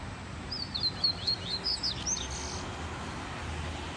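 A double-collared seedeater sings a quick run of high, sweet chirps and slurred whistles for about two seconds over a steady background hiss.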